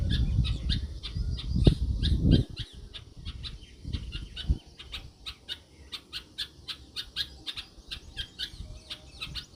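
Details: A Red-vented Bulbul on a rainy day gives short, sharp chirps repeated several times a second. Low rumbling noise fills the first couple of seconds.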